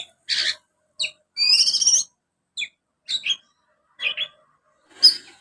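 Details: Ngriwik from a young Oriental magpie-robin with sparrow elements: short, scattered, scratchy chirps and squeaky notes, one longer buzzy trill, with pauses in between.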